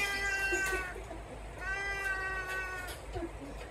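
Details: Signature cat-like call of a trumpeter hornbill at Mjejane Private Game Reserve, Kruger National Park, South Africa, December 2022: two nasal mewing wails about one and a half seconds apart over steady background hiss.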